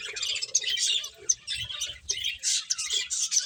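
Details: A group of finches chirps during feeding: quick, bright, high tweets with a few piercing notes standing out, plus scattered lower clicks.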